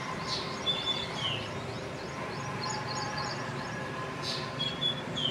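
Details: Black drongo (Dicrurus macrocercus) calling: brief, high whistled notes, some sliding downward, spaced a few seconds apart over a steady background hum with other faint chirps.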